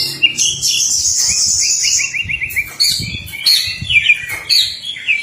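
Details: Male white-rumped shama courting a female, kept as a songbird: rich varied song of high whistles, rapid rising trills repeated in series, and sharp chirps, continuous and loud, with low thumps beneath.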